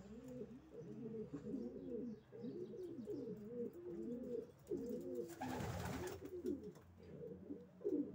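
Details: Many racing pigeons cooing in a steady, overlapping low chorus, broken by a loud burst of flapping or rustling near the middle.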